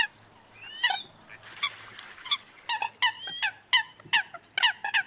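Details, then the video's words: Eurasian coot giving a competing call for bird trappers: a rapid series of short, clipped, honking kek notes, several overlapping as if from more than one bird, with an upslurred squeal near the start and steady background hiss. "TIẾNG SÂM CẦM ĂN CHIM - ĐÁNH CẠNH TRANH"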